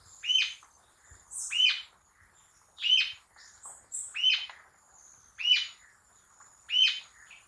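Rufous-tailed Jacamar giving sharp, high, slurred single notes about every 1.3 seconds over a faint steady high hiss.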